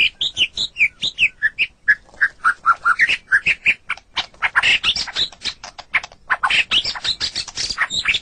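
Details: White-rumped shama (murai batu) song used as a masteran tutor recording for pet songbirds: a rapid run of short whistled and chattering notes, first slurred whistles near mid pitch, then denser, harsher high bursts, about thirty phrases.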